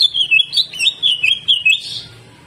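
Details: Greater green leafbird singing a fast phrase of slurred, warbled whistles that rise and dip, loud and clear against a quiet background.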